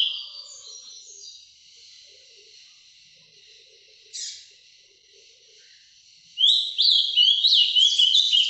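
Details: Breeder's Ultramarine grosbeak (azulão) giving the Paraná vinte vinte song live: faint notes early on, a brief burst midway, then a loud finish of rapid, high, down-slurred whistles.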